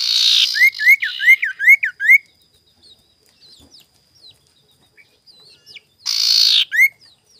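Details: Sirtu lure song in the morning, aimed at provoking rivals: a harsh rasp leads into a fast run of about six rising whistled slurs, then a pause with soft ticks before another rasp and upslur.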